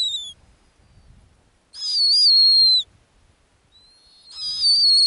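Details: On an Arctic ground nest, a female snowy owl utters high, slightly rasping whistled calls, each about one second and falling at the end, separated by pauses of one to two seconds.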